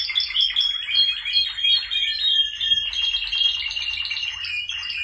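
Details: Male Spanish Timbrado canaries delivering continuous rolling trills and sustained ringing notes, several birds overlapping in a dense metallic chorus.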